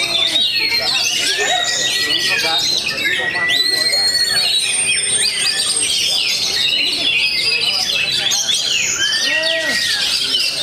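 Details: Bird-song contest entry, an oriental magpie-robin newcomer competing; loud, unbroken stream of whistled phrases, arching slurred notes and buzzy chatter, with other birds singing at once and faint human voices behind.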